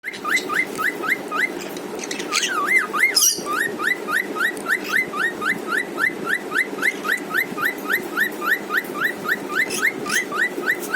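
A cockatiel whistles a fast, repeated series of short rising notes, with chirps from other birds behind.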